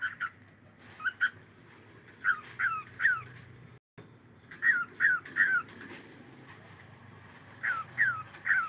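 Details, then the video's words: Cockatiel singing in the morning: clusters of three to four rising whistled notes repeated in phrases, a brief silent gap near the middle, then more triplets of upward-sliding whistles. "cute Cockatiel singing and sound"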